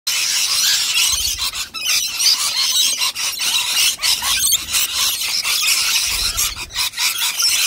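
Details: Rainbow lorikeets in huge numbers, wild native birds gathered close up for a big feed of nectar, producing a dense, continuous wall of shrill screeches and squeals, with overlapping harsh chatter and no pauses.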